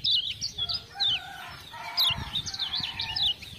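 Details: Lemon-bellied white-eye from Lombok, a tutor bird singing hard after being prompted with ciak-ciak sounds; rapid high twittering notes rise and fall in bursts, with fainter lower drawn-out tones and soft rustling beneath.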